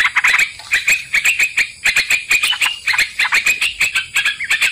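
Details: Sooty-headed bulbul voice used as a lure for trapping: evenly spaced bursts of quick, harsh notes repeating about twice per second through the clip, against a steady high-pitched hiss.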